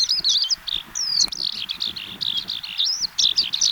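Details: Eurasian skylark spring-to-early-summer song: a continuous, rapid, high-pitched warble of chirps, trills and slurred whistles with no pauses.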